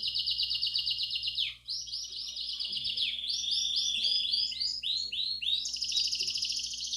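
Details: Canary-room song of Belgian canaries, 'campainha' style, meant to encourage chicks: a buzzy trill drops away, then strings of arched looping whistles and a final bright rolling tour. Faint hum is heard beneath.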